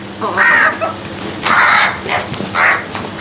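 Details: Crows squabbling while fighting for food, three loud harsh drawn-out caws in quick succession, each about a third of a second long, with a steady background hum.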